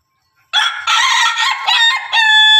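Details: Crow from Pelung and Ketawa roosters kept together: after half a second of silence, a powerful, sustained harmonic crow runs for two seconds in slightly broken pulses, ending on a steady held note.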